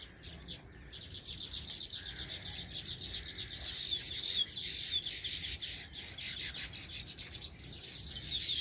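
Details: Weaver birds, migratory, crowding a farmhouse tree with nests: a thick, continuous stream of rapid high chirps and twitters rising in intensity, over a persistent shrill insect-like whine.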